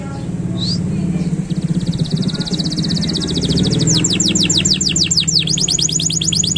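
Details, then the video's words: Canary song intended as a master recording for training songbirds: a fast buzzy trill, then a run of rapid high descending whistled notes, over a steady low hum. "KENARI GACOR PANJANG !! SANGAT BAGUS UNTUK MASTERAN BURUNG PAUD DAN ISIAN BURUNG OCEHAN"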